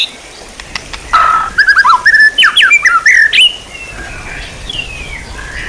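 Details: Songbird training material of a white-rumped shama: a loud burst of varied whistled and slurred notes lasting about two seconds, followed by fainter drawn-out rising whistles.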